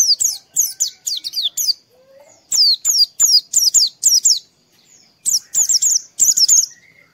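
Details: Oriental white-eye singing in the morning, a recording used to prompt other white-eyes to sing; bursts of high, sharp, descending chirps in rapid groups of three or four, separated by short pauses.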